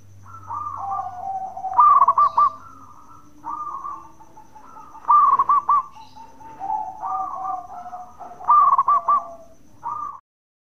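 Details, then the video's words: Local zebra dove in Indonesia, a bekur song used to provoke other doves into answering: rapid rolling trilled phrases alternate with longer soft cooing notes, repeated about every three seconds. "Perkutut Lokal Gacor Suara bekur super Ampuh bikin Nyaut bunyi"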